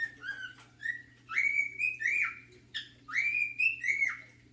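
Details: Male cockatiel whistling his beloved tune, The Sounds of Silence, in melodic phrases of sliding, sustained whistles, some rising sharply and some dropping at the end, with a low background hum.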